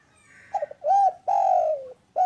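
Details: Spotted dove cooing a complete phrase, starting with a few soft broken notes, then an arched coo, a long falling coo and a short last note.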